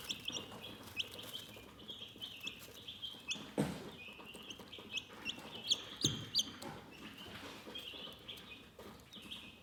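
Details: Relaxing chicken chirping, dense high peeps from many birds, around three a second, some sliding upward, over rustling and a couple of thumps.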